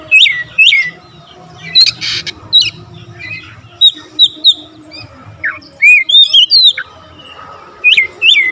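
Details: Oriental magpie-robin giving scattered whistled slurs and chirps with gaps between them, plus a brief harsh rasp near the start.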